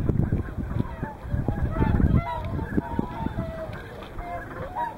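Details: At Hyoko in Niigata, Whooper swans gathered with Tundra swans, morning to evening; repeated short nasal honks from multiple birds, some rising in pitch, over a busy background of calling and deep rumble.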